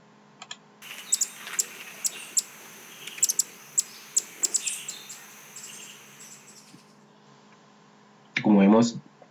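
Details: Ambient recording of Andean Emerald song played back by a computer program; a run of sharp, very high chips, often doubled, spaced irregularly over broadband hiss, then quiet, ending with a loud low burst of noise.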